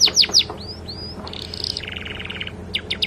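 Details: Master recording of a canary with flycatcher fill-in for training birds: three loud falling chirps, two rising whistled slurs, a buzzy rattling trill, then scattered sharp high notes.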